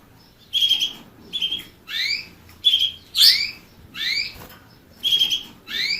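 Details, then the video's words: Loud, close canary song of flat whistled notes mixed with upward-swept chirps, phrases following each other every half second or so in a quiet setting. "Bird motivator sounds the basics of canary birds' singing"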